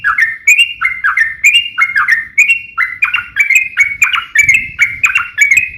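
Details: Yellow-vented bulbul fighting song meant to provoke other birds to answer: rich liquid whistled notes, each dipping then rising, delivered in quick repeated phrases roughly every half second, with faint low background hum.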